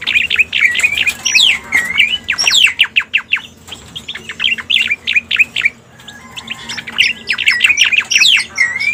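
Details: Pied bushchat calls used as a trapping lure, a busy run of clipped chirps mixed with looping whistled notes, pausing briefly midway before the chatter resumes.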